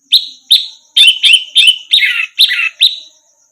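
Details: Song of an orange-headed thrush used as a tutor recording for other songbirds: eight loud, sharp, downward-sweeping notes delivered in a steady string about every 0.4 seconds, the later ones hoarser and longer, over a faint high hum.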